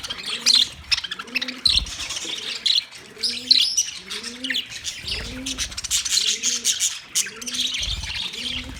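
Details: Budgie flock chattering, recorded 9 March 2024: unbroken bright, buzzy twittering and chirps, over a dove-like cooing repeated roughly every second in the background, with a few low thumps.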